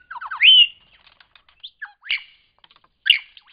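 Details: Lyrebird song from Cape Liptrap Coastal Park: a quick run of descending notes into a bright rising whistle, then separate loud scratchy chirps about a second apart amid soft clicks.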